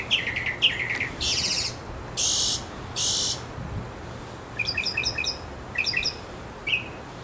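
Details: A backyard Northern mockingbird sings for several minutes to win a female, in a varied medley: bursts of harsh, buzzy phrases, then quick clusters of bright chirps repeated in short series, each phrase shifting.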